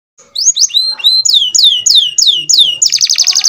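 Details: An F1 canary sings a run of high, clear notes that slide downward, about four a second, then breaks into a rapid, buzzy rolling trill.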